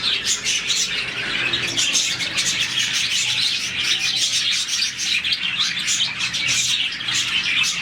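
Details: Happy morning chatter from a colony of about 40 pet budgerigars: a thick, steady stream of high, rapid chirps, squeaks and short warbles from many birds calling together.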